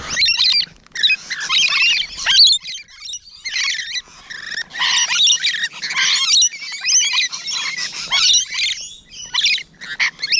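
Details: Rainbow lorikeets at close range on a June morning, 12 June 2017, giving harsh, screechy squawks in dense overlapping bursts with brief pauses between.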